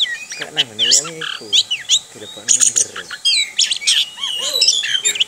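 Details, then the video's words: Varied, high chattering and whistled phrases from an orange-headed thrush singing 'ngerol' style, kept by its owner, while a lower buzzy, wavering sound repeats in the background beneath the song. "ANIS KEMBANG NGEROL"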